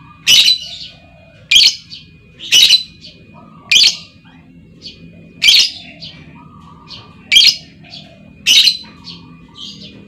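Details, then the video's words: Female lovebird calling, a lure sound meant to set other lovebirds trilling long; shrill, sharp screeching chirps repeated roughly every second, seven in all, with softer chatter between them and a faint steady high tone. "SUARA PANCING LOVEBIRD BETINA, LOVEBIRD LAIN LANGSUNG NGEKEK PANJANG Dengan Suara Lovebird Memanggil"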